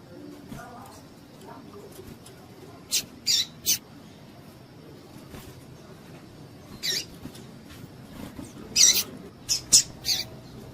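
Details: Female double-collared seedeater calling, used to excite males kept for singing tournaments; short, very high, thin piping notes, single or in quick pairs, spaced irregularly over steady low background hum.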